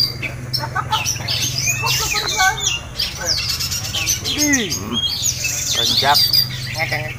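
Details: Oriental magpie-robin in a simulated singing contest used as mental training; fast mixed song of sweeping whistles, rattling notes and descending slurred phrases, with other birds singing at once and a constant low hum beneath.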